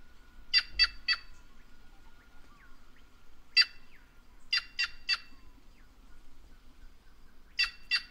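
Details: Series of coarse, buzzy jay notes in groups of two and three, spaced a few seconds apart, from a white-naped jay, the voice of the Brazilian caatinga; faint whistles from other birds between.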